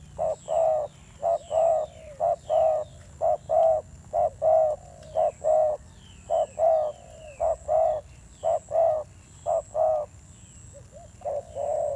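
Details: Fierce-toned cooing from a newly caught wild spotted dove, a long run of deep hollow coos grouped in short-long pairs, about one pair per second, steady and insistent, over a faint constant high whine.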